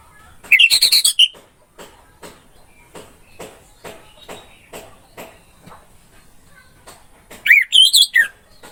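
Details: Orange-headed thrush song used as a training recording: two short loud bursts of rich, warbled notes separated by a long stretch of faint repeated clicks and taps.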